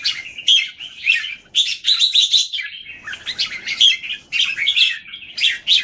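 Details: Several caged red-whiskered bulbuls in Singapore, 17 January 2019, one facing a group of others; rapid, overlapping chattering and warbled notes come in loud bursts roughly every second, with brief quieter breaks.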